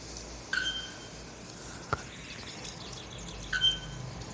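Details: Wild male bare-throated bellbird singing its ritual song to attract females for breeding, a potent anvil-like hammering sound: two loud clanging metallic notes three seconds apart, with a sharp click between them and a low steady hum.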